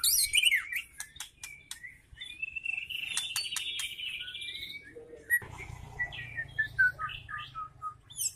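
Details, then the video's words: Caged juvenile white-rumped shama, spotted plumage, used to trigger other shamas into song: sharp clicks and a buzzy high trill, then a sequence of short whistled notes over low background hum. "MURAI BATU GACOR || Pancingan Murai Batu Trotol,langsung nyaut"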